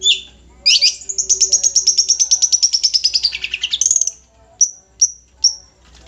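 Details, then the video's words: Cendet nogosari, a long-tailed shrike, delivering a rapid buzzy trill of over twenty pulsed notes that drifts downward, followed by three separate sharp high chips. "Burung cendet nogosari"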